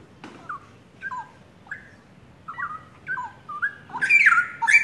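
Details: Young pair of caged straw-headed bulbuls, forest-origin, singing: scattered soft, falling whistled notes about once a second, then a sudden loud burst of rich, bubbling song in the final second.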